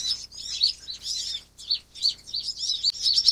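Van Hasselt's sunbird giving high, thin twittering chips and short buzzy trills in quick bursts, almost continuous over a few seconds.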